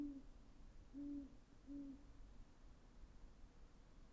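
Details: Great horned owl giving three deep, even hoots in the first two seconds, each low and mellow, followed by quiet background hum.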